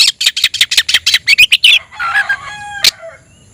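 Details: Oriental magpie-robin, singing to challenge a rival, delivers a rapid series of loud, evenly spaced chattering notes. These are followed by a softer buzzy trill and a thin fading whistle.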